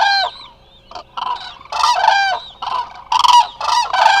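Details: Eurasian crane flock resting at Israel's Hula Nature Reserve, live camera recording: rich, ringing bugled notes from several birds, some rising and falling, crowding together in a brief loud chorus.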